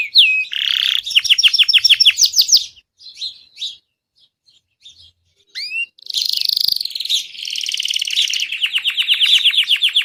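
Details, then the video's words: Gray Belgian canary, a pet bird, singing a loud, powerful song: rapid trilled phrases of repeated notes, a short pause with a few scattered chirps, then a long rolling trill that steps down in pitch. No other sounds. "Coloque Esse Canto de Canário Belga Cinza e Veja o Seu Cantar em 5 Minutos!"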